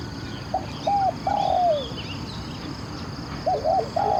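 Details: Spotted dove used as a decoy to lure wild doves, its voice praised as very good. It gives two-part coos: a short note, then a longer mellow, slightly falling hum, with the phrase repeated after a pause. Faint chirps of other birds are heard.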